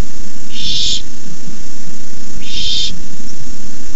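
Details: Young barn owls at the nest hissing at night during an adult's rabbit delivery, 18 May 2015; two loud, dense half-second hisses about two seconds apart, over a continuous low-pitched hum.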